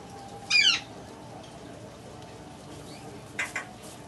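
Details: Captive baby Buffon's macaw, described as very tame, uttering one loud, grating squawk with a wavering texture, followed after a long pause by a quieter, clipped double squawk.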